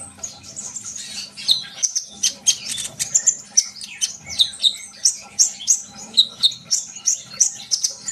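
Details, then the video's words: High, sharp sunbird chattering with a short pause early on, then steady bursts of squeaky chirps about twice a second. The song is used to make young birds sing actively. "kolibri bahan pasti yaut dengar suara konin ini gacor?"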